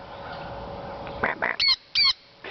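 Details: A sun conure, after finishing breakfast, gives loud, harsh squawks that rise into two piercing, high screeches among other squawking birds.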